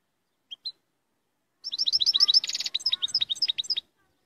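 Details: European goldfinch in strong song: two isolated high chirps, then a fast run of bright, liquid twittering notes with a brief buzzy rattle in the middle, delivered in one continuous phrase.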